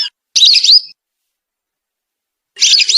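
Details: Lesser whistling duck calls used as a lure to attract the birds: two bursts of high, squeaky, wavering whistles about two seconds apart, with silence between.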